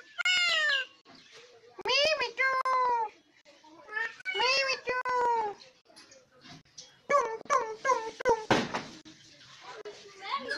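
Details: Pet myna imitating human speech, a bird said to make many kinds of sounds; clear voice-like phrases with rising and falling tones come in short bursts roughly every two seconds in a small indoor room.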